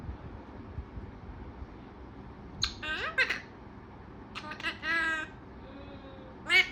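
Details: Talkative pet parrot: scattered harsh, harmonic bursts and short speech-like squawks over a quiet indoor background, ending with a sharp click.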